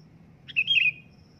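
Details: Sooty-headed bulbul giving one loud, clear phrase: a short burst that runs into a bright, slightly wavering whistle about half a second long. Faint low hum lies beneath.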